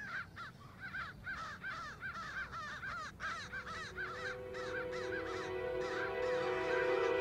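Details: A flock of crows mobbing a great horned owl in daytime caws harshly and rapidly, several voices overlapping in quick bursts, while music swells underneath toward the end.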